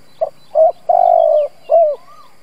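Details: Decoy spotted dove cooing to draw in other doves: a single phrase of two short hoots, a long steady low coo and a falling final note, with a faint high whistle from another bird after it.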